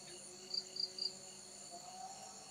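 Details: A male Javan munia in an aviary, newly paired with a female black-headed munia and sharing a nest, gives three thin, high peeping notes about a quarter-second apart, over a steady shrill chorus of crickets.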